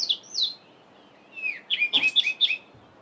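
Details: Cape robin-chat singing in a garden during the dawn chorus on a mid-winter July morning: a couple of high descending whistled slurs, a short pause, then a quick run of rich warbled notes dropping in pitch, with faint background hiss.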